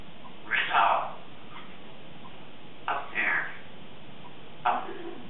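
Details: Congo African grey parrot, a 3.5-year-old female pet, chattering indoors in the morning while practicing words: three short bursts of speech-like, raspy vocal sounds spaced about two seconds apart over a steady room hiss.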